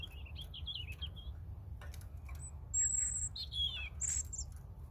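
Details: Varied European robin song: an opening wavering warble, then sharp very high notes and descending sliding whistles, loud and bright against a faint low rumble.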